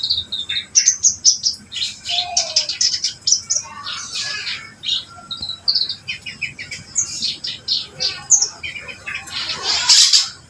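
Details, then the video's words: Reed warbler in full, energetic song: a dense, loud stream of high, scratchy chirps and rapid repeated notes, with short whistled slurs, continuing nonstop with only brief gaps. "burung kerak basi gacor"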